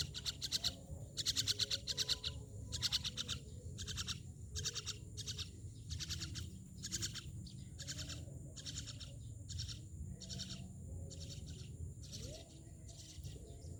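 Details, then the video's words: Rapid run of grating, broadband myna calls, loud and densely packed at first, then continuing in evenly spaced bursts that soften toward the end, over steady low hum. "Myna birds part 7"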